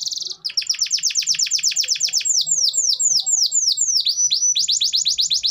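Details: Gacor (constantly singing) canary song, played to get a lazy canary singing: a brief buzz, then rapid high downslurred notes, slower swooping phrases, and another quick series of sweeps.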